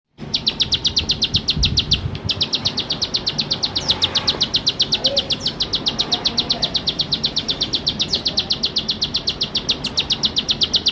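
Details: Bar-winged prinia singing steadily, a long rapid series of sharp high chip notes, about four per second, with brief pauses near two seconds; faint low background rumble.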